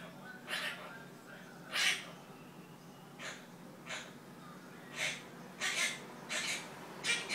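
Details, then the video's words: Pet monk parakeet chattering nonsense words: short raspy, speech-like bursts, uneven at first, then quickening into a tight run of four calls near the end, over low indoor hum. "תוכי קוואקר- ג'קי מדבר שטויות"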